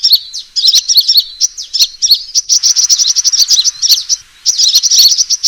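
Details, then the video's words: Sunbird fighting call for luring: rapid, thin, high chirps in tight clusters, a dense ticking run in the middle, then a brief gap before the twittering resumes. "suara pikat burung kolibri tarung"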